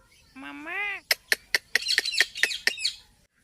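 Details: Indian ringneck parakeet talking and making noise: a smooth, voice-like rising phrase, then a rapid series of eight sharp, clipped squawks, roughly every quarter second.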